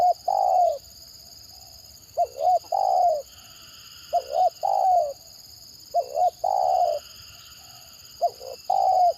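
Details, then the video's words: Spotted dove, a caught lure bird, in a stuttering (gagap) calling style: hiccupping double coos leading into a drawn-out falling coo, about five phrases, with a constant thin high hum behind. "Mendengar Suara Tekukur Gagap Ini Burung Lain Pasti Responnya Gacor"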